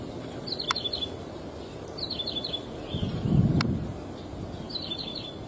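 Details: Wild plain prinia in rice-field country gives short high chirping bursts of three or four quick notes, repeated about every two seconds over steady low rumbling noise and a few sharp clicks.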